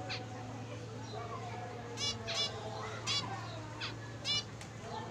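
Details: Zebra finch singing: short, bright harmonic bursts come in quick pairs and singles over about three seconds, separated by quiet gaps, against a low steady electrical hum and faint room noise.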